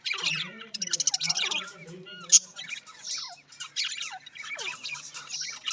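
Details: Budgerigars, described as Australian parrots, chattering in dense overlapping warbles and chirps, with buzzy high notes and quick descending squeaks; a low hum sits underneath during the first half.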